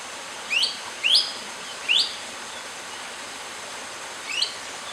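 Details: Series of shrill, rising whistled notes from a long-tailed broadbill: three in quick succession roughly every 0.7 seconds, a pause, then one softer note. Continuous low-level hiss behind.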